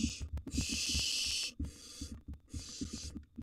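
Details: Barn owl nestlings, wild, in a nest box while a second nestling eats a large gerbil: rough breathy hisses in bursts of varied length, with frequent clicks and scuffling underneath.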